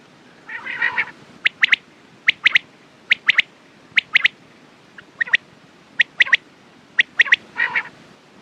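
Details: Quail repeating crisp clicky notes in pairs and triplets about every second, with a rough buzzy burst opening the sequence and another near its close.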